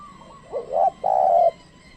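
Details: Single spotted dove coo used to lure wild birds: a short note, a rising hooted note, then a long even coo lasting about half a second.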